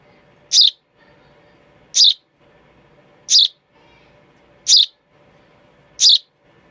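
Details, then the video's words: Young sparrow chick chirping steadily: five short, bright, high-pitched squeaky notes spaced roughly every second and a half, quiet low hum in the gaps. "A baby sparrow makes a chirping sound"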